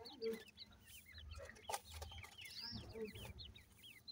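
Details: Grey francolin chicks, known locally as irani teetar, giving many short, high, thin chirps that rise and fall. The chirps overlap in a busy chorus, with a few lower clucking notes and soft knocking sounds.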